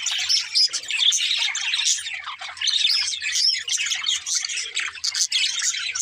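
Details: Several budgies chirp and sing while at play, giving a nonstop babble of bright twitters, clicks and squeaky whistles, varied and rapid, rising and falling in loudness from moment to moment.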